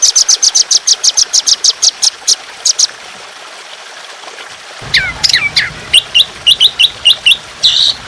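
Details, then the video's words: Trotolan, an Indonesian songbird, on a training recording of fierce, long, rough, continuous 'tembakan' song: a rapid run of high, sharp repeated notes, a pause, then twisting whistled phrases and chips over trickling water. "Masteran Burung Trotolan Jahat Tembakan Panjang Kasar Ngedur || Masteran Burung Dengan Gemricik Air"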